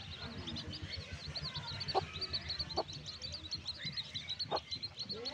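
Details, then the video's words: A flock of newborn backyard chicks giving steady, high-pitched peeps that overlap continuously, over a noisy background with a few short, sharp lower notes. "New Born Baby Chicks Video | Baby Video | Chicks Sound | Backyard Chicken"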